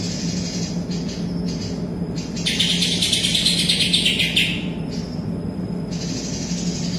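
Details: Greater green leafbird singing in full voice with a kapas tembak song fill; soft high trills build into a loud, dense, rapidly repeated chatter for two seconds, then fade back to thin trills, with a low hum throughout.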